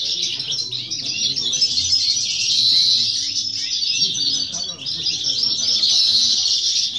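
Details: Rapid, tinkling warble from a novice European goldfinch competing in a singing contest in 2018 or 2019, with clear high whistles scattered through the twitters and faint people talking nearby.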